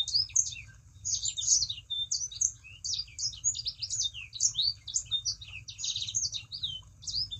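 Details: Lure song of a Sangihe shrike-thrush for getting other birds singing: a dense, restless stream of shrill chirps, short trills and falling squeaks, with a constant low-pitched hum in the background.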